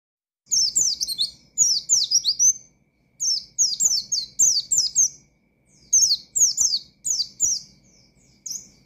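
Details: Oriental white-eye singing loudly in a wild-style 'ngalas' manner to provoke rival birds: bursts of high, rapid, down-slurred whistled notes in phrases of about one second, separated by short pauses, with faint clicks below.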